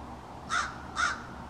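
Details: Two short, rough caws half a second apart from a small family of American crows in a backyard, individuals calling to one another in a drawn-out conversation, with quiet background noise between.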